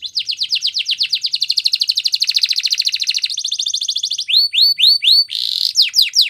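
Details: Belgian canary singing for training, opening with fast sweeping trills and a rattling roll, then clear, rising, curved whistles and a short buzz, with nothing else heard.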